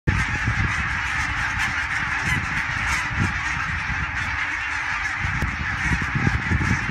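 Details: Thousands of greylag geese flying in flocks over the Elbe dike at Fährmannssand near Wedel, Hamburg, Germany, on 12 April 2020, recorded by phone: a dense wall of overlapping nasal honks, continuous, with low wind rumble beneath.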